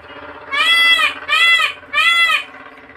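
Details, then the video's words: Three loud, drawn-out nasal wails from a peacock in a bird garden, evenly spaced about three-quarters of a second apart, over a steady low hum. "peacock voice"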